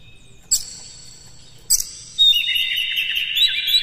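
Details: Oriental magpie-robin, captive, singing in the morning as a lure for other kept birds. Two sharp, harsh clicks come first, followed by a sustained run of bright, warbling whistles.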